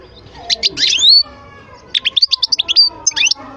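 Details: European goldfinch giving sharp, sweet twittering phrases: a rising slurred burst, then a quick series of clipped tinkling notes.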